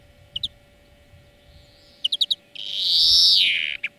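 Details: Greenfinch song played as a lesson for training birds: scattered sharp chirps, a four-note trill, then a long loud rasping wheeze that swells and drops, ending in a single chirp.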